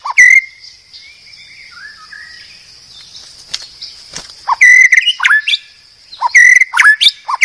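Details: White-rumped shama (murai batu), Medan type, used as a master recording for training cage birds: a clear whistled note, soft sliding whistles, a quiet gap, then clusters of ringing whistles and scratchy notes, with a constant high tone behind.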